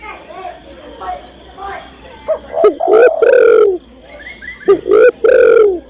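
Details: Female spotted dove calling the male. Faint murmuring fills the first two seconds, then two loud cooing phrases follow, each a couple of short notes leading into a drawn-out, slightly falling coo.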